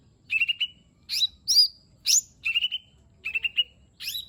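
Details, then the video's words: Lesser green leafbird singing to lure a reluctant bird: quavering level whistles alternate with sharp rising-falling notes, in groups spaced about half a second apart. "Cucak Ijo Mini 💯 Nembak Isian Bagus Buat Pancingan Jomin Malas Bunyi Agar Cepat Gacor"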